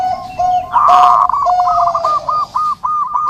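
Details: Zebra dove used to train and lure birds, giving its song: a steady hum-like coo, then a loud burst of quick rolling coos, then short repeated bubbling phrases with brief pauses between them.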